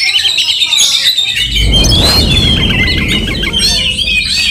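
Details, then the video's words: Aggressive Oriental magpie-robin singing to make rival birds fiercer: continuous high whistled warbling and chirps, joined partway through by a loud low rumbling noise that persists to the end. "Kacer tarung bongkar emosi buka ekor dongkrak amarah bikin kacer lain tambah Garang KEPANASAN"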